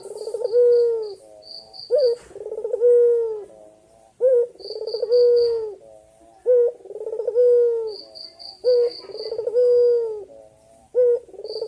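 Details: Persistent calling by a male white dove to a female, energetic gacor dor berkua style. Five phrases come at a steady pace, each a short accented note, a rapid pulsed burst and a long steady low coo. Intermittent high ticking is heard behind.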